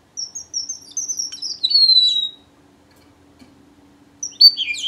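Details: High, thin whistled song of a strawberry finch: a row of short notes leading into a long downward-gliding whistle, silence, then a fresh burst of quick sliding chirps.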